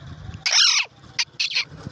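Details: Talking parrot giving a loud, harsh, squawky burst of nearly half a second, then three short, clipped, scratchy syllables, amid repeated mimicked 'me too' phrases.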